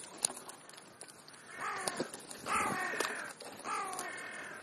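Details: Feeding crows between breakfast and lunch, calling with three rough, nasal caws roughly a second apart, each slightly drawn out, with a few faint clicks and light outdoor noise.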